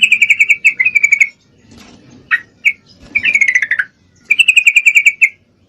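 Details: Female Yellow-vented Bulbul in breeding condition calling a male: repeated bursts of rapid pulsed chatter, about ten notes per second, separated by brief pauses and a couple of isolated sharp notes.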